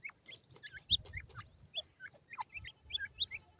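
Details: Several white grey francolin chicks at their feed, uttering quick sharp chirps and short upward-flicking peeps in a rapid, uneven chatter, with a few soft low taps underneath.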